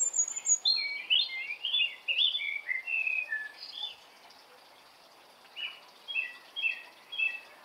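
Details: Birds singing in the morning, a lively string of high, rapid chirps and short warbled phrases, pausing briefly before another burst of quick twittering notes.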